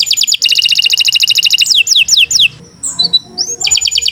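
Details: Canary of the Kenari Nusantara type singing gacor for tutoring: a fast buzzy double-tone trill, a few swooping descending whistles, a short pause with scattered notes, then a renewed rapid trill.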